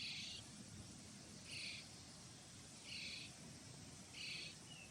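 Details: Begging common starling chicks at feeding time, Pärnu, 1 July 2025: four evenly spaced, wheezy, raspy calls come about every 1.3 seconds over a constant hiss of background noise.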